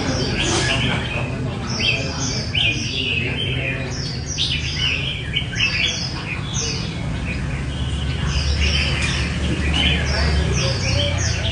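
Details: Red-whiskered bulbuls at a singing competition, not yet numbered; short bright warbled phrases and chirps tumble over each other, several birds overlapping, with a steady low hum and murmur beneath.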